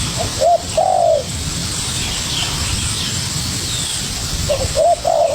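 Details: ['Young wild spotted dove dueling vigorously with a decoy bird: a low cooing phrase of short hooted notes ending in a longer drawn, slightly falling coo, heard twice with a steady hiss behind.']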